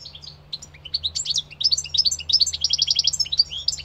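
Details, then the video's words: European goldfinch in full song: a rapid jumble of sweet twittering notes that builds into fast repeated trills and chirps, about three notes a second, above a soft low hum. "Goldfinch singing -Stieglitz song- Carduelis - Jilguero - Щегол - Kадънка - طائر الحسون"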